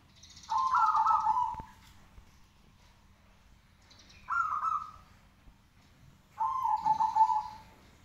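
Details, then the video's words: Zebra dove (perkutut) singing persistently: three separate mellow, rolling coo phrases, each about a second long and spaced a couple of seconds apart, over quiet background. "burung perkutut gacor"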